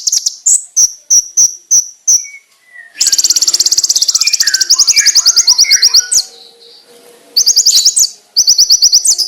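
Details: Konin master song meant for training birds: a row of evenly spaced high piercing chips, then a long rapid rattling trill over soft lower twitters, ending in more quick high bursts.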